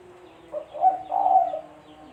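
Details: A single cooing phrase from a spotted dove, a call used as a trapping lure: a brief soft opening note, then a louder rounded coo and a longer wavering coo, low and mellow, with a faint hum behind.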